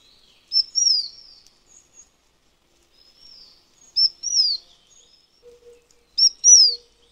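Taiwan Fulvetta gives thin, very high phrases: a sharp tick followed by a slurred, falling whistle. The phrase repeats three times over seven seconds, with a faint low hum late on.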